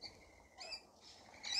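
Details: Rainbow lorikeet among a flock being fed in a feeding frenzy, giving a thin high drawn-out whistle followed by a brief harsh squeal and a louder shrill screech at the end.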